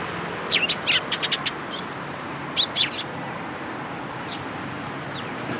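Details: Sparrows at a Tenmangu shrine on 14 April 2022, giving loud, sharp high chirps in quick bursts: a cluster of about eight in the first second and a half, then a close pair near the middle, over a steady low background hum.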